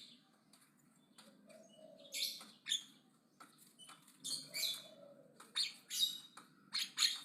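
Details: Javan myna chattering aggressively: sharp scratchy bursts and squeaky clicks, sparse at first then coming quicker toward the end, with a soft low hum behind.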